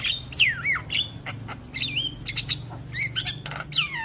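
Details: Master song of the Javan myna for stimulating young birds: loud looping whistles that drop and rise again, mixed with short rasping squawks and clipped chatter.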